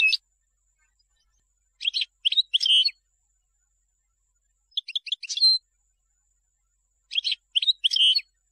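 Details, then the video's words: Song of a European goldfinch, picked for teaching young birds: short bursts of high chirps and twittered notes, each phrase ending in a sharp rising note, repeated about every two to three seconds with clear silences between. "تغريد الحسون لتلقين الفراخ"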